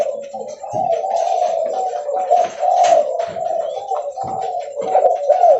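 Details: Derkuku leopard, a spotted dove, cooing loudly and steadily as it walks; an unbroken stream of low, rough cooing with slight pitch wobbles and some clicking noise.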